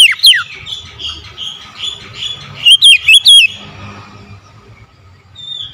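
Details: Morning song of an oriental magpie-robin: a sliding whistle opens, then a quieter warble, then a quick run of four loud looping whistled notes, with soft background hum.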